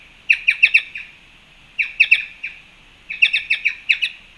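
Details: Black-chested jays, Panama fruit feeder, March 2, 2021: fast series of evenly spaced, harsh, clipped notes, five to seven per run, three runs in quick succession, with faint high hiss.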